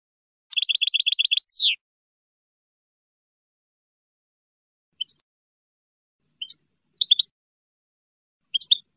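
A European goldfinch sings a quick run of about eight high tinkling notes, then a falling slur, then scattered bright twittering notes after a pause. No other sounds.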